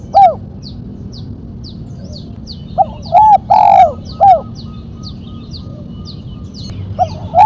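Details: Spotted dove in the 'mercik' style with a single sharp 'kuk', kept for luring and tutoring birds: one phrase of short rounded coos, a longer sliding coo and a closing note, amid thin high bird chirps and a steady hum.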